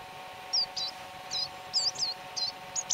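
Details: Great tit (Parus major) in León, Spain, spring 2019 (March to April): a run of quick high downslurred notes, repeated several times in a loose, slightly varied series against a faint steady hum.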